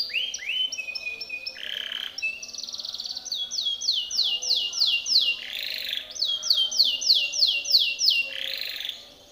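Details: Timbrado canary singing a training song for other canaries: rising and falling slurred notes, bursts of rapid falling sweeps, and short harsh rolling notes, all high, clear and varied in rhythm.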